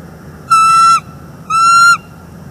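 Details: Male and female bald eagle at their northeast Florida nest calling on a September morning after she rejects his mating attempt; two loud, harmonic whistled notes, each about half a second, one second apart.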